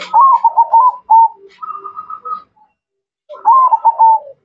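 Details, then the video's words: Zebra dove of the Mocca strain delivering mellow hollow coos: a quick rolling phrase, a held note, a steady even-pitched series, a pause, then another rolling phrase. "Perkutut Mocca Gacor"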